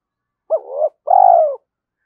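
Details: Spotted dove at dawn, cooing to incite fighting and lure: a single phrase of a quick hooked opening note with a wavering tail, a short gap, then a long steady breathy coo ending with a slight fall, against silence.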